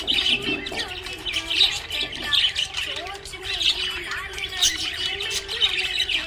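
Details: Cheerful budgerigar chatter: continuous warbled chirps and squawky notes, with some mid-pitched squeaks and a constant low background hum.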